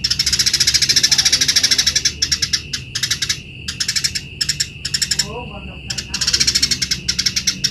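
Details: Eurasian tree sparrow chirping vigorously, recorded to tutor other cage birds: a long rapid run of sharp high chirps, then shorter broken bursts and brief gaps, with a faint constant high whine behind.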